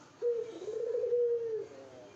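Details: Gacor Puter dove cooing to court a female: one long, steady, low hum-like coo lasting about a second and a half, level in pitch with a slight warble, in a quiet setting.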